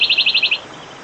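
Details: A wild wood warbler gives a quick, high run of about seven identical notes in half a second, a bright shivering trill that stops abruptly, then quiet. The song is used to lure birds that sing too little.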